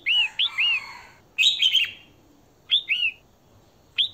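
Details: A female red-whiskered bulbul calls to stimulate males, giving short bursts of bright, liquid, slurred whistles in quick groups of two or three, with about a second between bursts, over a quiet background.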